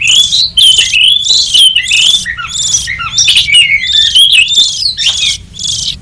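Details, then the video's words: Oriental magpie-robin lure recording for wild forest birds: dense, continuous mix of clear whistles, downward slurs and buzzy chattering bursts in quick succession, with a low background hum throughout. "Suara pikat burung kacer liar hutan ampuh"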